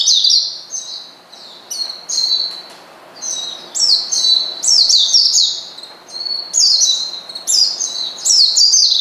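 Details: Oriental white-eye provoking a rival with repeated high, sharply falling chirps, grouped in clusters of two to four notes separated by brief quieter spells.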